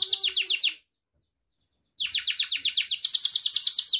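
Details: Singing Gloster canary: a short burst of quick swept notes, a pause of about a second, then a long rolling series of rapid repeated descending notes.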